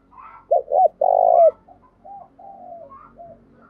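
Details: Spotted dove kept as a lure bird, calling in the morning: a loud, low, purring two-part coo ending in a long drawn note, followed by softer, fainter coos trailing off in the background.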